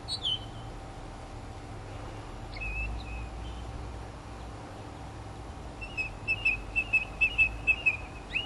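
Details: Northern mockingbird singing while preening in Florida native plants, 2005: a brief high note, a few soft whistles, then a fast run of evenly repeated clear notes near the end, over low hum.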